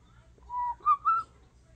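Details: Talking European starling kept as a pet at home, giving a steady mid-pitched whistle and then two quick, slightly rising whistled notes in a quiet room.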